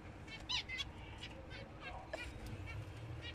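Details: Finch giving short, nasal, harmonic chirps in quick irregular bursts, loudest near the half-second mark, over a steady low rumble of background noise.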